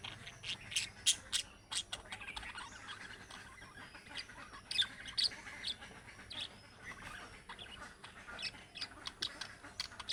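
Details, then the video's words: Budgerigar calls in the chick-like calling style that prompts other budgerigars to answer: dense bursts of sharp, high chirps and chattering notes, loud accents near one, five and nine seconds, over a constant faint background hiss. "MUHABBET KUŞU SESİ Kuşunuz Bu sese Karşılık Verecek Kuş Sesi"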